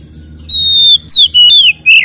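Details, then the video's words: Kacer, the Oriental magpie-robin, singing a ngeplong fighting song used to agitate rival birds; a long clear whistled note, then three shorter piercing falling whistles in quick succession. "SUARA BURUNG Kacer gacor isian NGEPLONG TARUNG"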